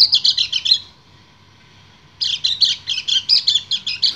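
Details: Kecial kuning white-eye, a breeding male calling a female, sings bursts of rapid, high, bubbling twitters, then falls silent for over a second before launching into another quick chattering run.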